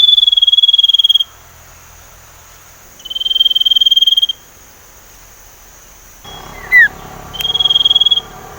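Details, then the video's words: Young Sumatran leafbird learning to whistle, used as a lure for other birds: long, steady, high whistled notes of about a second each, repeated at roughly two-second gaps, with a couple of brief squeaky chirps between the last notes. "burung sirtu ngeriwik belajar nyiul"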